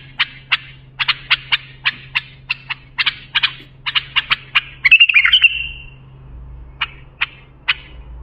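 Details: A bulbul sings for training young bulbuls: a brisk string of about twenty clipped high notes, a short buzzy trill, then three widely spaced single notes, accompanied by a low steady hum.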